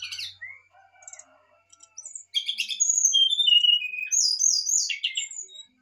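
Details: Brown-chested jungle flycatcher singing excitedly, a song meant to provoke a reply: a short buzzy note, a level whistle, then clear whistled phrases sliding downward, followed by bright high rising-falling whistles and a fast twittering burst.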